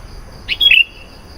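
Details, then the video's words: Sooty-headed bulbul in lively 'gacor' singing, used as a lure to call wild bulbuls: one brief phrase of two clear whistled notes, the first sliding down, the second a sustained bright note, with a faint steady high tone behind. "SUARA BURUNG KUTILANG GACOR. AMPUH MEMANGGIL KUTILANG LIAR.."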